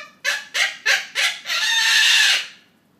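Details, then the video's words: Triton cockatoo imitating human laughter while its family watches a comedy: four fast rasping 'ha' pulses lead straight into a loud, sustained harsh screech lasting about a second. "Triton Cockatoo Julie- Funny Laughing Witch"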